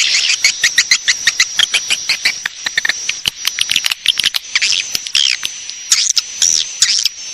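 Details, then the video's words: Swiftlet call played to lure swiftlets to settle and roost: irregular high chirps and buzzy twitters in quick clusters, some louder squeaky bursts near the end, over a faint steady whine. "Suara Walet Panggil Cepat Super Inap"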